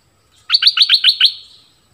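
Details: Orange-headed thrush song for luring wild birds and training young birds: six rapid, evenly spaced rising whistled notes in about one second, fading at the end.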